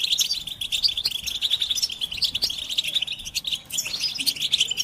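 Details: Group of European goldfinches chattering together in a recording of their mating and readiness calls, used to stimulate silent males to sing; dense high twittering and tinkling notes overlap continuously with no pauses.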